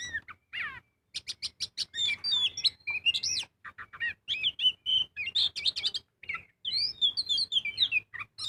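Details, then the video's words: Lure recording of a magpie-robin in full song: quick clipped chips followed by swooping whistled phrases and warbles, delivered in tight, varied bursts. "Pancingan burung kacer gacor full ngobra"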